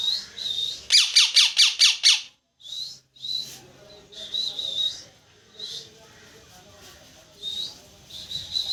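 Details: High wavering chirps from a parrot lead into a rapid series of about seven loud, harsh squawks, followed by scattered short high chirps with quiet gaps.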